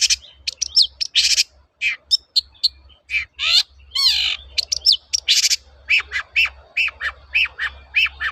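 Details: Long-tailed shrike in full, busy song used as a lure for trained birds, mixing harsh grating bursts, sliding whistles and rapid chattering notes almost without pause, over a low steady hum.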